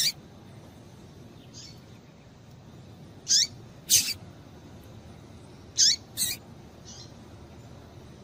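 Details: Female Double-collared seedeater calling to stimulate males: short, sharp, high chips with a quick downward tail, in loose pairs about two to three seconds apart, over a faint steady hiss.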